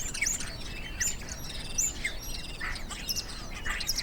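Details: Common Starling song, mostly sung by males though females sing a little: a busy medley of high whistles, scratchy notes and clicks, a new phrase roughly every second, over a low background rumble.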